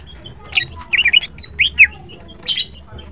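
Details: Greater green leafbird female singing in the morning: a fast, chattering string of bright whistled and warbled notes in the first two seconds, then one more buzzy burst near the end.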